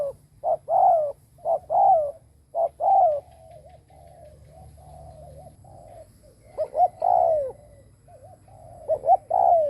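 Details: Spotted dove kept as a decoy, cooing to attract others: bursts of short-long coo pairs, a stretch of soft wavering purring notes in between, then loud coos again.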